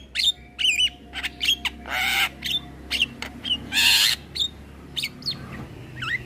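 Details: Young male Javan myna in a cage, singing often with nodding, recorded for training other cage birds: wavering whistles and chirps broken by two longer, noisy rasping bursts.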